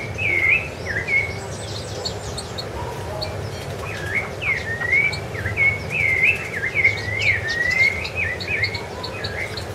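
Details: Rufous-bellied thrush singing on Ilha do Governador in January 2013: a run of clear, fluting whistled phrases, each a short rising or falling slur, given in a loose, uneven series with a faint low background hum.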